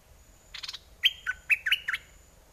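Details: Decoy red-whiskered bulbul singing, aggressive or wild mate-calling style: a quick buzzy rattle, then four or five crisp, slurred whistles in quick succession, with a low background hum.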